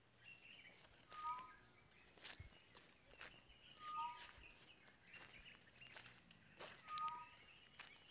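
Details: Tropical boubou giving a pure, low whistled pair: a level higher note, then a lower slurred note. The pair repeats three times, roughly every 2.8 seconds, over crackling background noise with faint other birds.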